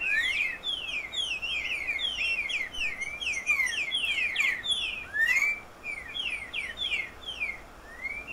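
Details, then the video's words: Green-winged saltator song, evoking forests and farmland of Brazil's northeast: a dense, unbroken run of bright slurred whistles, rising and falling several times a second at a high pitch, with a soft hiss behind. "picharro , belo canto."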